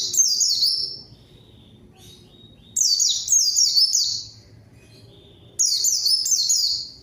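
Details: High, bright white-eye song used as a lure to call a rival: three bursts of rapid downward-sweeping whistles spaced about three seconds apart, each burst lasting around a second, with silence between.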